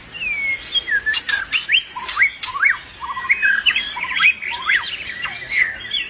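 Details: Albino white-rumped shama in lively song: a fast, varied jumble of whistles, rising and falling slurs, and sharp clicking notes packed closely together, with hardly any pause.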